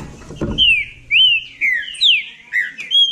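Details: Green-winged saltator (trinca-ferro) from Bahia competing in song: a series of six bright, slurred whistles, each falling in pitch, about two per second, with a brief knock near the start.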